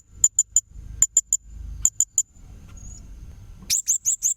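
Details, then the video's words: Blue-crowned hanging parrot recorded as a tutor clip for young magpie-robins: very high, sharp, thin notes in short spaced groups of three, then a quick run of five downslurred chirps at the end, over faint low rumble. "BURUNG SRINDIT MASTERAN AMPUH UNTUK MURAI MUDA"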